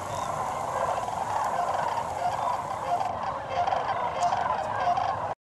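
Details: Large flock of sandhill cranes gathering for the night at dusk in a shallow marsh at Sevilleta National Wildlife Refuge, more birds arriving; dense, continuous chorus of overlapping rolling, grumbling calls with no pauses.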